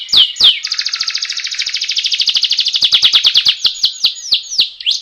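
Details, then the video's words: Canary rolling song played to encourage birds to sing: two sweeping whistles lead into a long fast rattling trill that gradually slows into separate falling notes. "Suara masteran burung kenari ngerooll agar burung cepat gacooorrr.."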